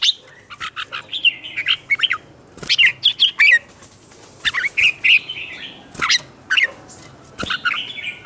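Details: Red-whiskered bulbul competitive song, from a newly caught bird, meant to provoke others: repeated short bursts of quick warbled, slurred whistles with brief gaps, some sharp clicks between phrases.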